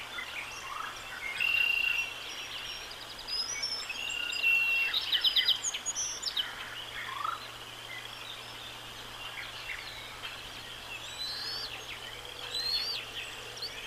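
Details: Bald eagle nest with two eaglets aged 16 to 17 days, April 10, 2024, waddling out of the nest centre to explore and nap; high thin chirps and a fast stuttering run of piping notes over a steady high hiss.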